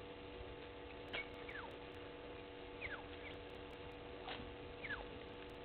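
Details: An African green pigeon at Gowrie dam waterhole, Djuma Game Reserve, Sabi Sand, South Africa, at 07:40 on 16 June 2021, gives about five soft, descending whistled notes over several seconds, over a steady low mechanical hum.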